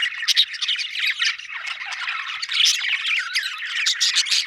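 Budgerigars chatter in a dense mix of squawks, chirps and warbles, with several birds calling at once.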